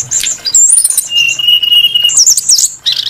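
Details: Brown-chested jungle flycatcher, valued for its varied and sweet singing, giving high warbled notes, a long steady mid-pitched whistle held for about a second, then a quick high wavering phrase.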